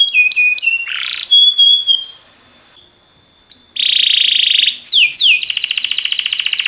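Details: Canary training song: a few swooping notes and a thin held whistle, a brief pause, then a dense buzzy rolled phrase, downward sweeps and a fast trill.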